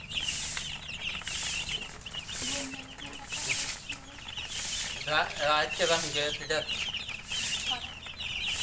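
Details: Thirsty newly hatched chicks peeping in a busy chorus of high, rapid chirps, joined midway by a lower, rhythmic clucking sound and steady background noise.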